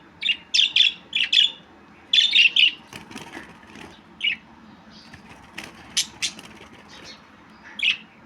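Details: A budgie chatters in quick clusters of squeaky chirps, two or three per group, through the first couple of seconds, then sharp clicks and a few isolated chirps follow.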